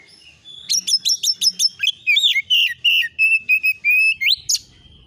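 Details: Oriental magpie-robin (kacer) lure recording meant to provoke replies, a rapid varied song: repeated sharp metallic notes, then rich whistled and buzzy phrases with rising slurs, about 3 notes per second, clean with no background sound.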